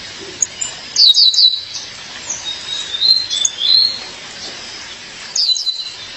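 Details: Sharp triple chips from a female violaceous euphonia calling to her mate, followed by soft wavering whistles and another burst of chips near the end.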